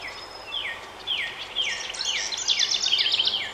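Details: House wren near a nest box as the last two of five nestlings fledge into a nearby hemlock. A few high, descending slurred notes build into a fast, bubbling, jumbled cascade of high twittering notes.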